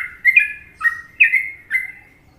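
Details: Indonesian sooty-headed bulbul, Trucukan song style: four clear whistled chirps roughly half a second apart, each opening with a sharp rising flick and then easing down into a short, sweet tail, with no other sounds.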